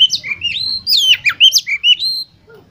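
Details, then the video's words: Oriental magpie-robin lure song for competition birds: loud, sweet whistled phrases that swoop up and down, with crisp high downstrokes packed together, ending abruptly in a brief quiet trail. "Pancingan Untuk Kacer Lomba Agar Cepat ON Dan Gacor Konslet Di Gantangan"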